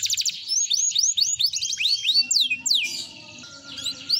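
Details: Canary of F1 SF type, a lively singer used as a lure to get other canaries singing, with a rich cengkok song style: rapid whistled sweeps and trills, quick rising and falling notes, a few steady tones mixed in.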